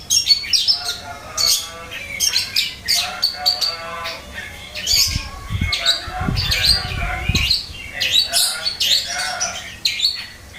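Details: Long-tailed shrike that had gone quiet, now replying at once with busy chattering song of sharp chirps, trills and squeaky notes in dense bursts, a deeper muffled thumping noise partway through.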